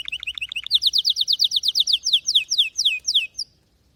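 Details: Canary song phrase: fast high chirps, then a loud repeated series of downward-slurring whistles, delivered evenly several times per second, ending cleanly with one last short note.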